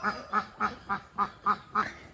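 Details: A female domestic duck on a farm gives seven loud, harsh quacks in a steady series, about three per second, each nasal and evenly spaced; a female's quack is louder and darker than a male's.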